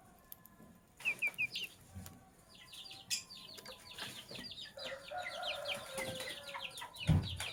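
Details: Lovebirds, including sky blue opaline and cobalt birds, chattering in the morning: a few sharp chirps early on, then a dense run of rapid, overlapping high chirps and twitters over a steady low hum.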